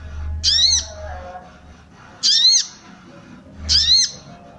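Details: Female sooty-headed bulbul calling to stir the breeding urge of males. The recording is used to train males and to lure wild birds. Three harsh, squeaky arched notes with rich overtones come about 1.6 seconds apart over a low hum.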